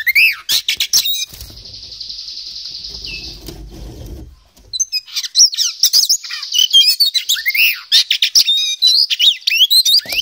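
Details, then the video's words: Kacer poci magpie-robin in full ngobra display, packed with learned fill-in phrases. Sweeping whistles open, then a steady high hiss and low rumble for a few seconds, before a dense stream of quick chirps and slurred notes. "KACER POCI GACOR, NGOBRA FULL ISIAN"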